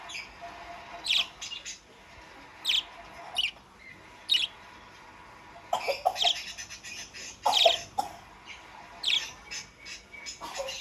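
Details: Budgerigar in full chatter, sharp chirps scattered every second or two among dense warbled and scratchy notes, busier in the second half with overlapping bursts.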